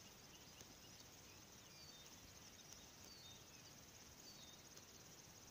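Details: River warbler singing at Kangasala, southern Finland, on 10 June 2018: continuous, high, rhythmic insect-like buzzing like a fast sewing machine, with faint thin whistles from other birds behind.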